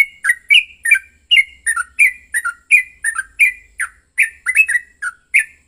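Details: Emotional fighting song from a yellow-vented bulbul, meant to provoke another bulbul into song: rapid squawky chirps, some slurred downward and some rising, delivered about twice a second without pause.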